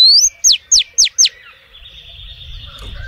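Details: Calling female oriental magpie-robin luring males: a short rising whistle followed by four rapid, steep falling slurs, then a faint hum and low background noise.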